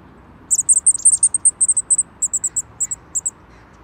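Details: A chickadee scolds the recordist, for unknown reasons; the owner suspects it dislikes the food offered. It gives a fast run of very high, thin chips, about six a second, over a faint hiss.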